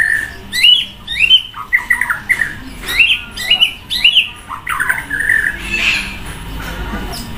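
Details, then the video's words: White-rumped shama, kept in a cage and sunned by the side of a main road, pours out a loud, varied song of quick whistled upslurs and downslurs in clustered bursts, ending in a softer, scratchy chatter. "Buat emosi naik murai batu jemur di jalan raya // suara mewah banyak isian auto keluar"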